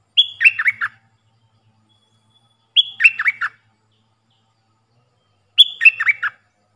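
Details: A puff-throated bulbul (Alophoixus pallidus), recorded as a decoy call for training young birds, gives three short, even phrases about three seconds apart: a high clear note, then quick slurred notes dropping lower.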